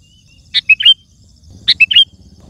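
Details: Sooty-headed bulbul singing to attract wild birds: two phrases about a second apart, each a bright note, a short whistle and a bubbling rising flourish, with a low background hum.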